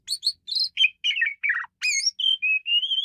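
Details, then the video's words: An Asian pied starling sings a rapid, varied string of harsh chirps, slurred whistles and drawn-out rising notes, with no other sounds behind it. "jalak suren menggila"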